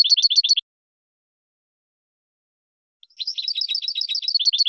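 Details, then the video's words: European goldfinch singing on a training recording for tutoring birds: a brief run of rapid repeated twitters, a long silence, then a sustained fast, buzzy, jingling trill. "12h GOLDFINCH 1st Champion"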